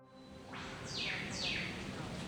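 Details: A whipbird in dark, dense rainforest at Mount Glorious near Brisbane gives a sharp whip-crack call: a quick rising sweep, then two fast high downward-whipping notes, over a soft forest background hum.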